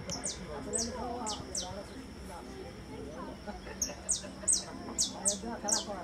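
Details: Saffron finch singing in two bursts of high, downslurred chips with a pause between. A low murmur of human voices continues throughout.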